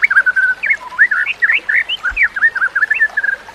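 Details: White-rumped shama, recorded for training other shamas, sings a flowing string of sweet whistled notes, short rising and falling slurs at a fairly even mid pitch, quick and continuous.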